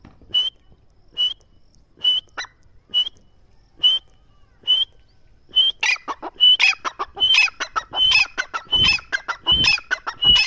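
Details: Partridge (teetar) calling: sharp clear notes repeated roughly every 0.9 seconds, then quickening into a dense, overlapping burst of harsher, chattering calls.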